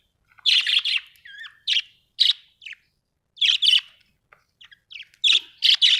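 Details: Budgie chirping with bright, sharp tweets in pairs and singles, a short wavering whistle early on, and quiet pauses between the bursts.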